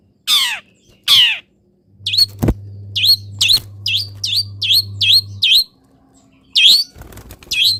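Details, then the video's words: Long-tailed shrike kept in a cage, misted and set in morning sunlight, singing: two long descending scratchy notes, then a steady series of short upswept chirps about twice a second over a low hum. "BURUNG CENDET SANGAT BAHAGIA KETIKA DI EMBUNKAN DAN KENA MATAHARI PAGI - CENDET GACOR FULL ISIAN"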